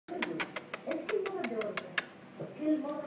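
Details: A six-month-old pet African grey parrot that screams whenever approached gives a rapid run of about a dozen sharp clicks over two seconds, then low, throaty, voice-like warbling sounds.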